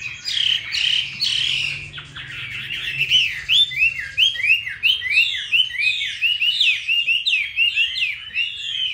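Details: Chinese hwamei kept in Hanoi, Vietnam, singing loud varied phrases, then a long series of crisp, downward-slurred whistled notes repeated in quick succession.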